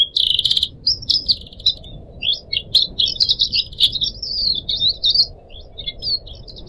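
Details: Pet Pied Triller, one of four caged birds, singing a tutor song for other birds in Indonesia: a harsh opening burst, then a long run of high, warbling chirps and twitters, fading toward the end.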